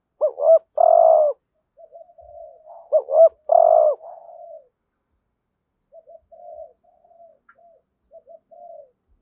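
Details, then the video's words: Decoy spotted dove in the 'hạp bổi' style used to bring in wild doves: two strong phrases of paired rising notes and a drawn-out buzzy coo, then a long stretch of quiet, broken, soft cooing murmurs. "Tiếng cu gáy mồi ĐỦ BÀI GỌI THÚC GÙ Giọng HẠP BỔI kích bổi nhanh nổi"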